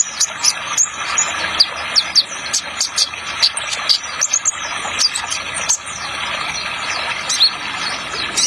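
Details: Trotol song of the Kolibri Ninja sunbird with a water sound effect: a busy run of sharp, very high chirps and clicks, several per second, over a constant rushing-water hiss.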